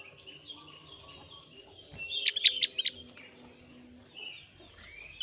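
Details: Javan grey-throated white-eye ('opior Jawa alis tipis'), in breeding condition, used as a lure to set other white-eyes singing: a short run of sharp, high repeated chips mid-clip, framed by faint thin whistles.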